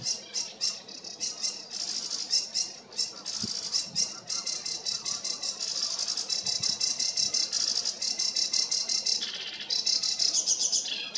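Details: A sedge warbler sings nonstop from close by in reeds alongside other sedge warblers: a wild, scratchy, fast jumble of harsh chatters, churrs, sweeter trills and imitations, constantly varied with no pause.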